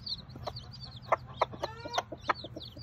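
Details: Tiny bantam Sebright hen that hid her eggs and hatched ten chicks on a hobby farm: low, short clucks come in a loose series, while the chicks give high, thin peeps above them throughout.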